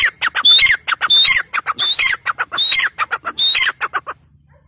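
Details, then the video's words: Francolin, known locally as teetar, calling as a female: grating, squawky notes in quick bursts, each burst led by a short piercing whistle, repeating roughly every second before falling silent near the end. "Teetar sound | teetar ki boli | teetar voice | female teetar voice"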